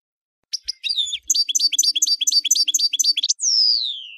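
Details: Goldfinch song opening with a few scattered high chirps, then a quick run of tinkling, repeated twittered notes that closes with a long, buzzy note gliding down in pitch.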